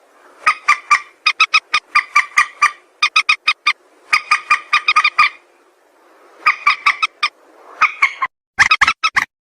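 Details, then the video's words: White-breasted waterhen, recorded for use as a trapping lure, gives long runs of rapid, rasping croaks in tight clusters of four to six. It keeps up the harsh, rhythmic calling for nearly ten seconds with brief gaps. "suara mandar sawah"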